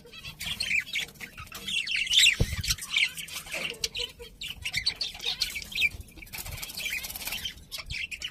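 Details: A flock of pet budgerigars chattering nonstop, busy scratchy warbles and chirps layered over one another, with a soft thump partway through.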